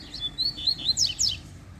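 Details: Double-collared seedeater (coleiro) found singing during a walk: a quick run of high slurred chirps followed by sharp descending notes, with a low rumble of handling or traffic beneath.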